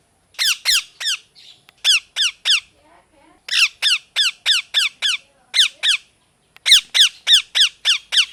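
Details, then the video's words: [4, 'A parrot repeats harsh, falling chirps in rapid bursts of four to ten notes, with short pauses between the bursts. A faint soft chatter is heard in one gap.'] "Parrot Chirping Sounds | Natural Parrot Sounds | Parrot Calling Sounds"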